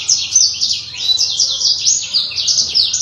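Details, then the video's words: Black-throated canary, a kept songbird, delivering an unbroken stream of fast high chirps and sliding whistles, dense and lively, over a faint low hum. "Kicau BURUNG BLACKTROAT SOMERINI GACOR !!!"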